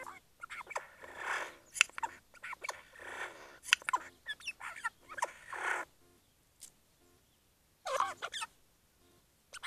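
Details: Eurasian jay imitating noises in the Eifel, Germany, on 2 January 2019: harsh rasping bursts and varied mimicked sounds in irregular runs of one to two seconds, with short silent gaps between.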